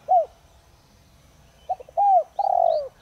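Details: Decoy spotted dove of the 'Đồng Rặc' singing style, meant to provoke other doves: one isolated short coo, then a phrase of stuttered notes, an arched coo and a long descending coo; faint high chirps from another bird near the end.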